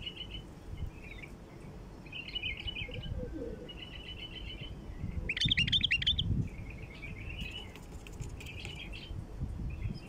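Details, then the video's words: Bulbul lure calls meant to draw in wild bulbuls: short buzzy trilled bursts repeated every second or two, broken midway by a loud cluster of sharp whistled notes, with steady low background rumble. "طياريات بلبل خام لفتح البلابل الوحشية"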